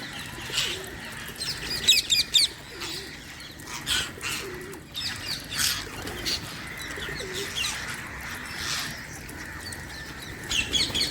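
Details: Wild Indian parrots give harsh, screechy chirps in scattered short bursts, a few in quick pairs, over soft low pigeon coos and other bird chatter.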